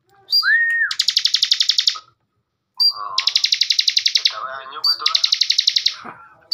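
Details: Bar-winged prinia, master recording for training cage birds for contests: three long fast buzzy trills, each introduced by a short whistle or slurred note, with lower warbling notes mixed between them.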